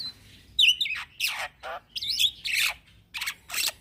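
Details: Harsh chattering from a young black-winged myna, used as a lure for training birds in 'gacor ngeroll' style: a twisted whistle followed by several loud, noisy rasping bursts with short gaps.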